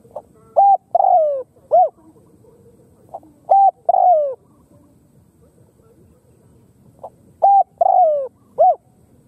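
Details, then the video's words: Spotted dove (Khmer) giving three phrases of soft, low cooing, each a short coo, a longer slurred coo and a final note, repeated about every three seconds. "Khmer Spotted Dove Sound លលកខ្មែរសម្លេងល្អណាស់១០០%"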